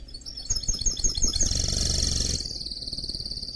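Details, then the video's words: Canary crossed with goldfinch singing quick high twitters that run into a sustained buzzy trill, which fades toward the end over a low rumble. "Chant Mulet Canari X Chardonneret"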